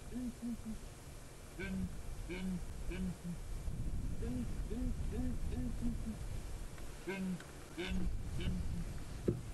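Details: Morning chorus of four southern ground hornbills, a female, a male and two young, perched on a dead tree in Djuma Game Reserve, July 2017, possibly bonding before breeding; low resonant hoots repeated in rhythmic runs, faint rustling behind.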